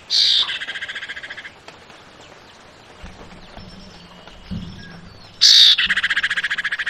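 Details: Javan white-eye female calling, meant to draw a male's answer: a loud harsh burst dissolving into a long fast rattle, a quiet gap with faint low sounds, then a second burst and rattle.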